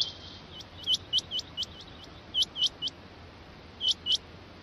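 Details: Rain quail, chiranga, producing crisp, high, upward-flicking notes in small groups separated by short silences, over a hissy background.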